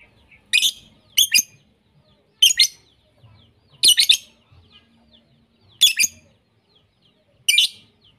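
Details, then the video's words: Lovebird sounds mixed into a lure track so listening lovebirds pick up varied song; six bursts of sharp, high, rasping double and triple chirps at irregular one-to-two-second gaps. "Masteran Pemikat lovebird - untuk semua jenis Lovebird"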